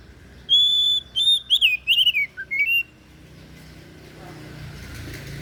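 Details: Kacer daput, the oriental magpie-robin, delivering one clear phrase. A long pure whistle opens it, followed by quick zigzag notes and short falling slurs over about two seconds. A low hum of background noise continues afterward.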